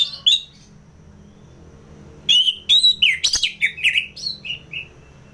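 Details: Orange-headed thrush from North Bali, Singaraja, a caged contest bird in full ngeplong song used to lure fighter birds: one sharp note, a pause, then a lively jumble of whistles, chatters and slurs.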